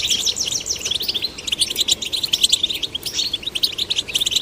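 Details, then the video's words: Busy, continuous high twittering from male and female goldfinch chicks being stimulated into song, with tinkling chips and short buzzy trills that rise and fall without pause. "Stimulating male and female goldfinch chicks to sing birds chirping"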